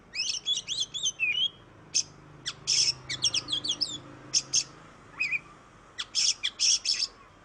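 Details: Lure song of an Oriental magpie-robin for stirring other birds: quick whistled trills at first, then repeated harsh buzzy bursts interspersed with short sharp chirps and a few slurred notes.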